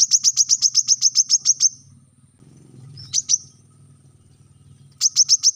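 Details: Brown-throated sunbird trilling rapid high chips for about two seconds, then a short pair of notes and a later burst, over a low hum; recorded to train captive birds to sing.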